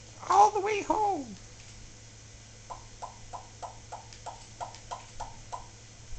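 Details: Indoor pet Solomon Island Eclectus parrot, a talking bird, opens with twisting, hoarse voice-like syllables, then gives a steady series of about ten soft, short clicking notes roughly three per second.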